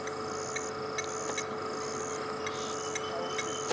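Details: Steady mechanical hum with sustained tones and regular soft ticking, ending in a sharp knock.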